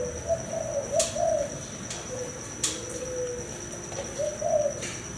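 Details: Male spotted dove of thai hau 4 type, father of several broods, coos in soft broken phrases, interrupted by sharp clicks and backed by a steady high whine.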